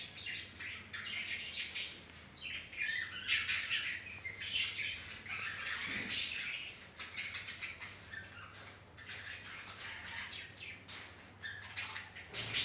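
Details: Healthy budgerigars in a home colony shared with ring-necked parrots: dense, overlapping high chirps and twittering from many birds, with brief louder squawks scattered throughout and a low steady hum underneath.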